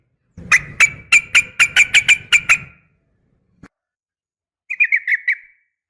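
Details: Sooty-headed bulbul female calling a male, fighting song: about ten sharp, evenly spaced notes repeated roughly four per second, then silence and a short quick trill of four notes.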